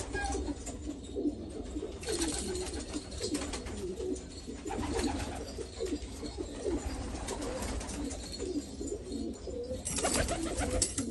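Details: Black Afghan pigeons in Afghanistan keep up overlapping low coos in uneven bursts, broken by loud rustles and wing scuffles around the second and tenth seconds, in an enclosed space.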